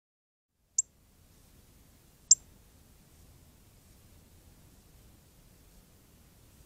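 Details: A very red Northern Cardinal in the Arizona desert, chirping before bathing, gives two sharp, high, metallic chips about a second and a half apart, over a faint low rumble.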